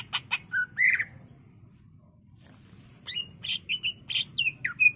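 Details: Captive greater green leafbird singing as a master for training: sharp clicks and a buzzy slur, a pause of about two seconds, then a lively burst of whistled chips.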